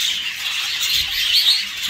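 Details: Budgerigar in a jumbo crested budgie breeding facility, said to be talking to itself; dense, scratchy high-pitched chatter runs unbroken through the brief stretch, with faint room noise underneath.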